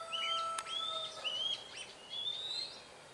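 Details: Oriental magpie-robin heard in the wild: a quick run of clear, slightly rising whistled phrases with brief warbles between them, against a steady low hum and faint hiss.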